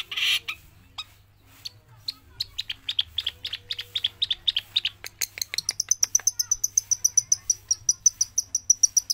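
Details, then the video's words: Trained long-tailed shrike of Java, singing continuously in and out of its cage: a fast stuttering series of clipped notes that shifts into a rapid, evenly spaced train of thin, piercing high ticks, about six per second. "Cendet Jawa didalam dan dilepas dari sangkar tetap gacor non stop"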